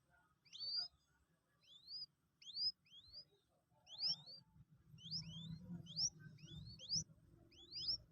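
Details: A two-day-old Common Moorhen chick learning to eat pellet feed peeps insistently in rising, high-pitched notes, often doubled, with quick bursts toward the end over faint handling noise.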